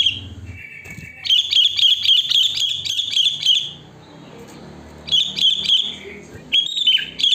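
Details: Wild sooty-headed bulbul song recorded in nature: bursts of bright, bubbly, chattering high notes come in two runs separated by a quieter gap, over a low background hum and rustle.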